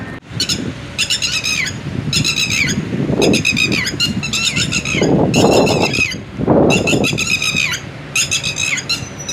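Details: Red-wattled lapwing near its eggs and chicks, giving loud, sharp, ringing notes in quick bursts of three to five, repeated through the recording, over low rumbling wind or traffic noise.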